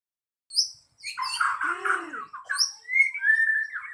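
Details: White-rumped shama at a singing contest: a loud, varied song of fast chirps and sweeping notes, then clear whistled phrases, some rising and some falling, with no other sounds.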